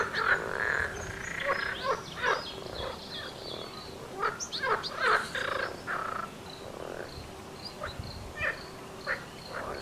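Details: A wild mallard hen with ducklings, bathing and preening on the Nezhegol River, Shebekino district, Belgorod region, Russia: short, harsh, raspy quacks and low chatter in uneven bursts, about two per second, with a few thin high peeps mixed in.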